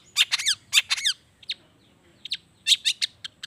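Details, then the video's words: Long-tailed shrike in lively song with natural mimicry, used as a lure to get reluctant shrikes singing: short bursts of sharp, high squeaky notes in quick clusters, pauses between, then more chattering phrases. "SUARA CENDET GACOR ISIAN ALAM"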